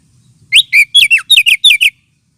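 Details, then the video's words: Oriental magpie-robin lure call, used as therapy for birds lacking aggression: about eight loud, quick whistled notes sliding downward in pitch, delivered in a tight burst under two seconds. "Suara pikat kacer ampuh 100% !!! sudah terbukti"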